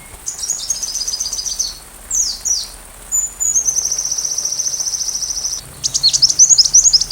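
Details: Sunbird singing, recorded as training material for a white-rumped shama: high twittering phrases, a pair of sharp descending notes, then a long even buzzy trill lasting about two seconds, ending in loud, rapid, sharply inflected chips.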